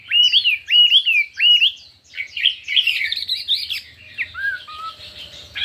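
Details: Chinese hwamei contest song with many voices: three loud, ringing whistled phrases, then a busy tangle of high chirps, fading into softer whistles over a low background hum.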